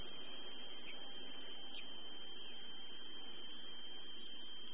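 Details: Constant low electrical hum with a steady thin high tone running through it, and no animal voices.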